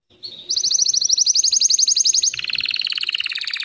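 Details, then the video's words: White canary singing: a fast trill of bright, evenly repeated high notes, then a drop into a lower, slightly slower buzzy trill, each phrase pulsing several times per second. "White Canary bird Singing 🎶 Kanarienvogel gesang"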